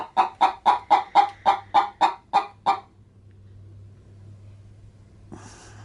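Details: A pet hen about to lay an egg inside a chicken-feed bag cackles as her owner approaches, giving about ten quick, even clucks, roughly four a second, then falls quiet over a low hum and a brief rustle.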